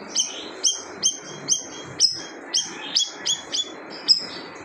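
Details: Loud siri-siri bird song said to silence other birds: a fast run of piercing high chirps, nearly two per second, each a short sliding note with a bright upper overtone, over steady low hiss.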